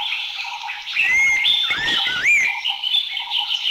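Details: A single brief whistled phrase of an Abbott's Babbler in Thailand, notes sliding up then down in the middle, surrounded by a steady insect chorus.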